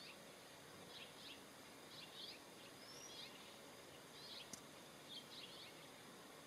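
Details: Single American robin filmed on the ground and on a fence at Pinnacles National Park, California, USA, 8 March 2023: soft, high clustered chirps in irregular bursts about every second, with a hissing background.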